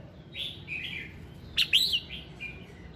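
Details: Morning song of a red-whiskered bulbul meant to spur singing: soft slurred whistles, a loud sharp double note with a bright warbling phrase in the middle, then quieter trailing notes.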